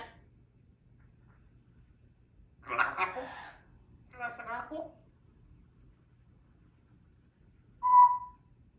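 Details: Young pet African grey parrot, female, practising her words in the morning indoors. Two short bursts of speech-like mimicry, then a single clear whistled note after a pause, in a quiet room.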